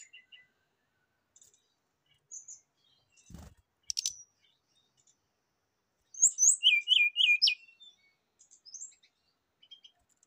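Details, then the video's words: Rufous-chested flycatcher song used as a lure and therapy to prompt a kept bird to sing its full repertoire: scattered thin high chips, then a loud burst of rapid, looping, downslurred whistled notes around the middle, then faint chips again. "PANCINGAN DAN TERAPI SRDC AGAR CEPAT BUNYI BONGKAR ISIAN"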